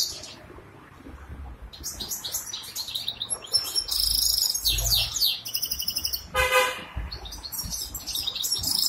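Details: Caged goldfinch hybrid offered for sale in Ankara, Turkey, singing bursts of high, fast twittering notes and thin whistles, broken by a brief loud broadband honk-like sound midway.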